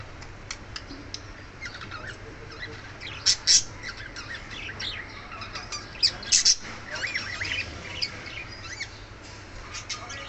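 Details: Pet budgerigars at home chatter in rapid, scratchy warbles and chirps, with a few louder sharp squawks.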